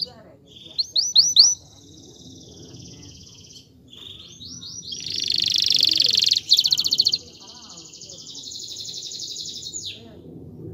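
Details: Male canary urging a female to mate and build a nest: short high rolls, then a long buzzy trill swelling and fading over several seconds, over a steady low background rumble.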